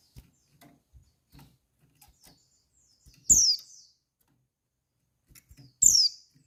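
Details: Female white-eye call meant to arouse males and prompt them to answer and sing: two loud, sharp, high notes sliding steeply downward, about two and a half seconds apart, with soft clicks and taps between.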